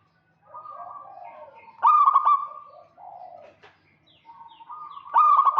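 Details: Local zebra dove (perkutut), a lively singer, calling to lure a rival; males and females answer each other. Soft purring trills give way to a loud stuttering burst of clipped coo notes, quieter warbling, then another loud staccato burst.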